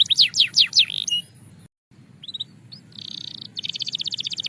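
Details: Belgian canary singing: a quick run of high, steep down-slurred whistles, a brief silent break, a few scattered chips, then a dense buzzy roll and a fast, evenly pulsed trill, all high-pitched and clear.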